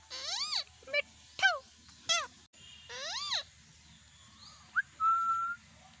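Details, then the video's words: Indian ringneck parakeet at home, mimicking speech: a run of loud arched, harmonic-laden syllables and sharp clipped notes, a pause, then a brief upslurred chirp leading into a long steady whistle. "parrot talking mithu | parrot sound"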